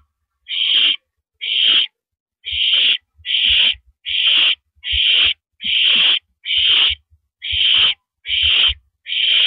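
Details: Live-camera owl on a porch perch, April 9, 2012, 8:17 PM: eleven grating, breathy screeches delivered at a regular pace, just under a second apart, with scattered low clicks in the background.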